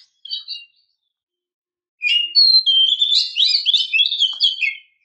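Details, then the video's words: Oriental magpie-robin female luring a male: a brief double whistled note, silence, then a rapid, tumbling three-second stream of high, varied warbled and whistled notes. "Suara Gacor Kacer betina memancing jantan"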